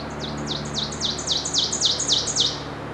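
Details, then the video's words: Ovenbird singing in Falmouth, Massachusetts, on 4 May 2014: a rapid series of high, ringing two-part notes, each dropping sharply in pitch, swelling louder over about two and a half seconds above a faint low hum. "Ovenbird Singing"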